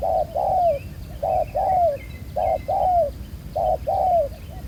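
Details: Black-collared wild spotted dove, caught for ground decoy trapping, gives clear low coos: a clipped note then a longer downslurred one, four pairs in under five seconds, with a few thin chirps above.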